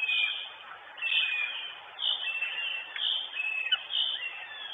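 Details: Northern goshawk at its nest in Estonia on 23 June 2022, the adult female, watched by a live nest camera: sharp, high calls repeat about once a second in an uneven series, with a thin, band-limited tone.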